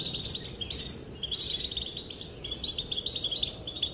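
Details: European goldfinch female calling, said to make males dance; dense, sparkling twitter of rapid chirps and trills repeated in quick phrases with brief breaks, low background hiss.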